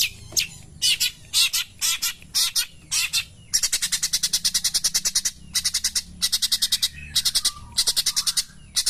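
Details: Long-tailed shrike, called Cendet Pastol, singing in the morning: short harsh buzzy bursts at first, then a long fast train of rasping ticking notes in rhythmic groups, loud and dry, quiet background.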